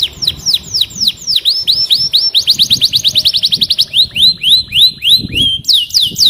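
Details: Canary in full song: descending whistled sweeps that speed into a rapid rolling trill, then slower falling slurs and a final pair of sharp sweeps, loud and continuous.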